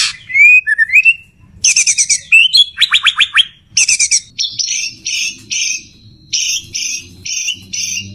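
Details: White-rumped shama male calling to a female in courtship: sweeping whistles, then dense buzzy bursts and a rapid descending rattle, followed by regular harsh doubled notes repeated about twice a second.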